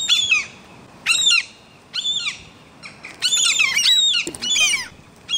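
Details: Gulls nesting on a five-storey building's exhaust pipe while chicks wander the rooftop: sharp, arched squawks in bursts roughly every second, sometimes doubled or run together, over faint background hiss.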